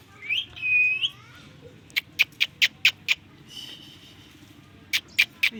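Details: Chirping ringneck parrot giving a rising whistled note and a longer steady whistle, then a fast run of five clipped high chirps, a soft whistle, and three more sharp chirps near the end.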